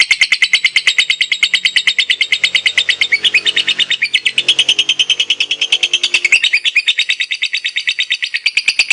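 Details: Lovebird kept for song competitions, giving a sustained ngekek chatter: a rapid, buzzy stream of scratchy notes repeated about three times a second without pause for nine seconds, briefly thickening midway.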